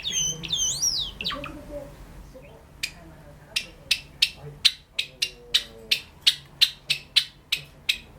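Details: Pet sakura Java sparrow: a short swooping whistle opens, then a steady series of loud, sharp clicks about three per second, with quiet music in the background.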